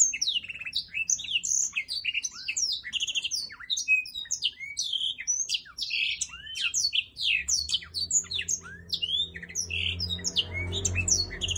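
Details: Black-throated laughingthrush singing and dancing: a dense, lively stream of high chirps, squeaky upslurs and downward sweeps in quick succession, with a faint low rumble growing toward the end.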